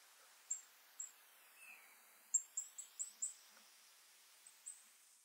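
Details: Shining sunbeam hummingbird (Aglaeactis cupripennis) in Los Nevados National Natural Park, Colombia: short, very high, thin chips, singly and then in a quick run of four or five, over a faint wavering high-pitched whine.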